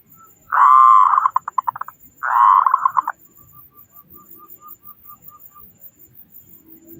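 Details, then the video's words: Local zebra dove from Indonesia singing loudly to encourage other doves to sing: two back-to-back phrases of a long low coo ending in rapid clipped notes, followed by a faint even ticking and quiet background. "Perkutut Lokal Gacor Suara Besar Pancingan Burung Perkutut Agar Cepat Bunyi"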